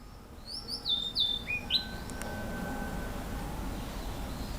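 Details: Captive Blue-and-white flycatcher singing in a zoo enclosure, filmed on 11 June 2015: a brief phrase of clear, high whistled notes, some sliding downward, over about a second, followed by steady low background hum.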